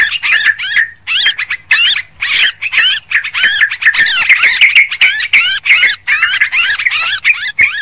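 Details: Yellow-vented bulbul, noisy lure recording for attracting birds: dense, rapid chattering of warbled, bubbly notes in quick bursts with brief gaps, continuing nearly nonstop for the whole stretch.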